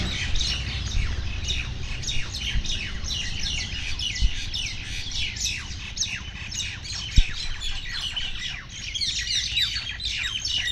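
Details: Angry common mynas fight, one subduing the other, with a dense, continuous chatter of harsh squawks and chirps, several calls a second, over a low rumbling background.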